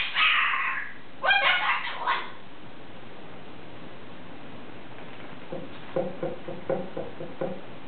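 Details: Pet cockatoo talking, mimicking phrases such as "What is that" and "Oh, my goodness" and imitating a dog's squeaky toy: two bursts of harsh, voice-like sounds, a quiet gap, then a series of short, evenly repeated squeaks.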